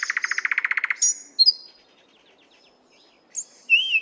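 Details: Nightingale in the 50th Anniversary of October park, Moscow, recorded via RODE NTG-3 and ZOOM H6: a rapid buzzy pulsed rattle, brief high whistles, a quiet stretch, then rising and looping whistled notes.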